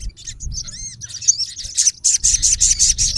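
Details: Male olive-backed sunbird calling a rival: a few thin looping whistles followed by a rapid series of sharp high chips repeated quickly, with low rumbling noise beneath.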